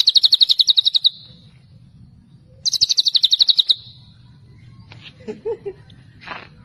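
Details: Murai batu, the white-rumped shama, giving two tembakan celilin bursts of quick high repeated notes, each about a second long, followed by scattered soft notes and faint clicks over a steady low hum.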